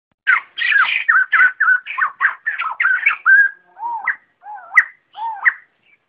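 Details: White-crested laughingthrush calling the flock, a lure recording: a loud run of rich, fluting, chattering notes around mid pitch over about three seconds, then slower, lower whistled phrases with upward slurs, no background noise.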